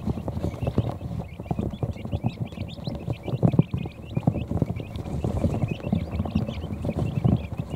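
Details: Tired quail chicks hours after hatching crowd under a brooder heat plate for a nap; dense high-pitched peeping from many chicks at once, nearly unbroken, above frequent soft knocks and shuffling.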